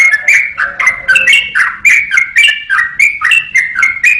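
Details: Yellow-vented bulbul song recorded as a master for training songbirds: a fast, bubbly run of short liquid whistled notes, rising and falling, about three or four a second, with a faint low steady tone in the middle.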